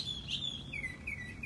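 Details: A male Northern Mockingbird singing in the morning from a tree behind a deck gives high, clear whistles, then a run of quick downslurred notes repeated several times a second, over a low steady background rumble.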